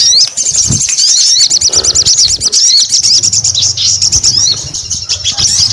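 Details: Strong sogon song: rapid zigzag chirps repeated many times a second, flowing into a continuous high warble, with a soft low hum in the background.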